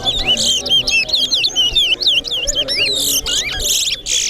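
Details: Large-billed seed-finch (towa towa) competing at a Corriverton singing event: a long, rapid burst of bright whistled, zigzagging notes about two per second, with some scratchy noise near the end.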